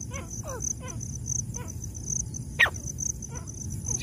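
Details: Black francolin, female and male: a run of short, harsh, rasping notes in quick succession, then further notes more widely spaced with one louder burst, over a steady high insect drone and low rumbling background.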